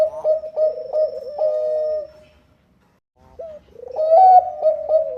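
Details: Zebra dove, Bangkok type, a vigorous singer used to prompt others to sing: stuttering coo notes and a falling purr, a pause of silence, then a hooked note and a loud rolling coo phrase.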